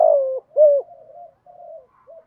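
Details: Decoy spotted dove calling to draw in other doves: a loud drawn-out coo, then a second strong note, followed by a trail of softer wavering coos.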